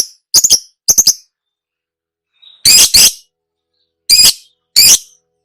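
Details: Caged lovebird training recording: short, harsh, shrill screeches given in pairs, separated by clear silences of about one to one and a half seconds.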